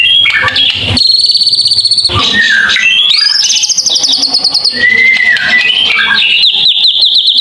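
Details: White-rumped shama, locally murai, in a long unbroken song: harsh buzzy rattles, sweeping whistles and fast repeated trills, loud and close throughout.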